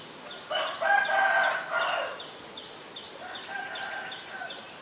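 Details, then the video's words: Black-collared Starling (Black-collared Myna, Gracupica nigricollis), Ubon Ratchathani, Thailand, 17 April 2022, gives a loud, harsh, drawn-out screech of about a second, then a quieter, hoarse call; faint high chirps throughout. "นกกิ้งโครงคอดำ (Black-collared Starling, Black-collared Myna)"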